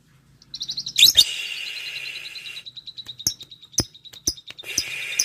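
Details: Lovebird calling a rival: a harsh buzzy chatter near the start, then a long run of rapid, evenly spaced high chips with a few sharp clicks scattered through, ending in another burst of dense, noisy chatter.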